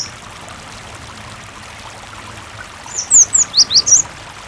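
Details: Singing cinereous tit meant to set other tits singing in reply: near the end, a single phrase of about six loud, high, sharply slurred chirps in quick succession, heard over soft running water.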